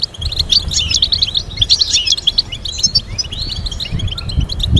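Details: European goldfinch song used to teach goldfinches complex melodies: rapid liquid twittering with tinkling notes and short buzzy trills, almost unbroken, over a low background rumble.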